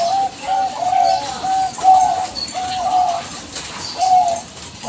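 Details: Bangkok-type zebra dove giving a lure call to draw answers from other doves: mellow, soft coos repeated about once a second in short rolling phrases, steady and clear over light background hiss.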